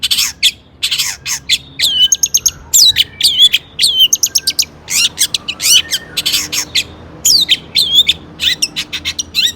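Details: Long-tailed shrike in full, energetic song, used as a lure to provoke other shrikes into singing: a rapid series of high, scratchy chirps, sharp whistled slurs and harsh bursts with brief pauses between phrases.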